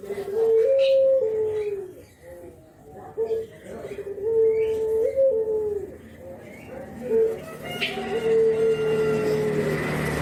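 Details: Spotted dove (brenggolo), a Javanese bird, bobbing while giving its "kuk geruk" call, used as a lure recording: soft, low, hollow coos in stepped phrases, a short rising note then a longer falling one, repeated every few seconds.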